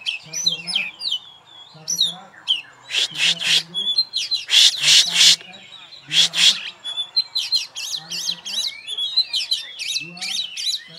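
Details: Caged champion oriental magpie-robin, hung up on its own, sings fast whistled loops and trills, broken midway by several loud harsh rasping bursts, with low human voices audible now and then.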